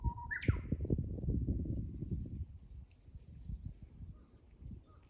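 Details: Japanese bush warbler, the end of a song: a brief steady whistle cut into a fast rising flourish at the start, then only low rumbling noise and a few faint high ticks.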